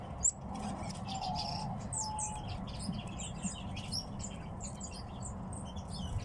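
Tits give a steady stream of thin, high chirps and short twittering notes over a low background rumble.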